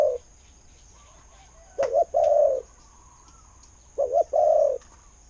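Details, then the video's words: Repeated low cooing of a spotted dove praised as a good-voiced decoy: paired short notes running straight into a longer mellow coo, two full phrases about two seconds apart, little else audible. "เสียงนกเขาใหญ่ เจ้า 800 คูอ่าง เสียงดี ต่อเข้าหมาน"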